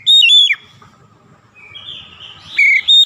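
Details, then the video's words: Oriental magpie-robin (kacer) training for a long rolling song: a brief loud whistled phrase, a long soft drawn-out note, then two short bright whistles at the end. "TERAPI HARIAN KACER CEPAT NGEROLL PANJANG"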